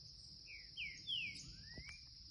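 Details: Green-winged saltator youngster giving curricutil-style song: two or three loud slurred whistles sweeping downward, then a long thin rising whistle, all against a constant shrill insect buzz.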